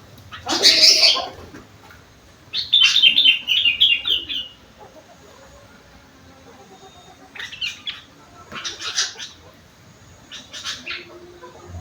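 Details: Sooty-headed bulbul with a rengganis and cucak wilis song filling: a loud harsh burst, a fast trilled run of high whistled notes descending slightly, then three brief rasping clusters after a pause.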